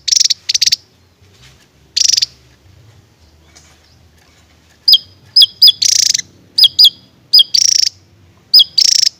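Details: Javan tesia singing in a rapid shooting style: short, very high buzzy bursts alternating with sharp whistled downslurred chips, delivered in quick clusters with brief pauses between them.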